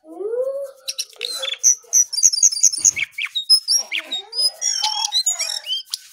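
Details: Lesser shortwing in energetic morning song: a lower slurred whistle opens, then a dense run of high, thin chips, squeaky trills and warbled notes pours out with brief pauses.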